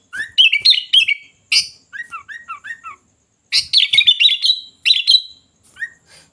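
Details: Loud, busy sooty-headed bulbul song: upslurred whistles running into warbled phrases, a string of short descending notes, and dense chattering bursts separated by brief silences.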